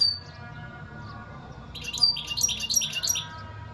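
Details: European goldfinch singing: after a quiet start with a single thin note, a rapid run of bright, tinkling twitters fills the final two seconds.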